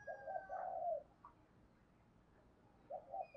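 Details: Spotted dove, a lure and training voice for birds, giving a soft run of hollow coos, a pause, then the next phrase starting, with a hissy background.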